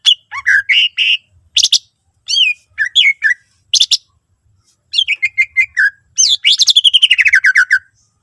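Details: Greater green leafbird singing rich fill-in phrases to lure other leafbirds into song. Clusters of whistled slurs and harsh chips come in bursts, ending in a rapid descending trill.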